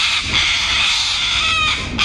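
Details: A breeding pair of Little Corellas, excited while inspecting a tree hollow as a nest site at breeding time in Kurnell, NSW, Australia, give a harsh, grating, high-pitched screech running unbroken for about two seconds, with a brief lift near the end.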